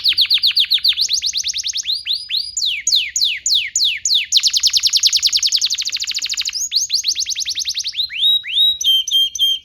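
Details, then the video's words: Canary song used as a training recording for young canaries; fast series of repeated downward-sweeping notes changing into rapid trills and rolls, then short clear whistled notes, loud and continuous throughout. "PANCINGAN KENARI GACOR DURASI PANJANG UNTUK MASTERAN KENARI PAUD BELAJAR BUNYI DAN GACOR"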